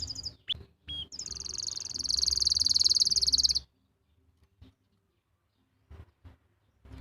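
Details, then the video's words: Canary singing in Pati, Central Java, as master song to coax canaries that stopped singing and young birds; brief chirps lead into a loud, rapid, high-pitched rolling trill lasting over two seconds, then near silence with faint clicks. "masteran untuk memancing burung kenari yang macet bunyi"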